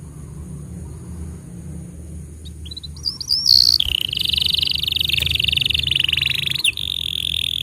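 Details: Canary singing as training material for young and silent canaries. After quiet opening seconds with a low background hum, high twittering notes lead into a sustained buzzy trill that runs to the end, with a brief break near the close.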